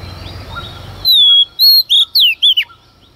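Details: Singing female Oriental magpie-robin at dawn, provoking males: after faint background noise, loud pure whistles slide downward, then rapid rising and falling slurred notes end the phrase.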